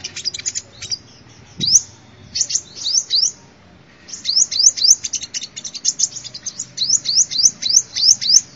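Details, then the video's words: Sunbird song used as a lure recording, with bursts of high, sharp chirps and quick rising upslurred whistles in fast runs, broken by a short pause near the middle. "tiếng chim hút mật"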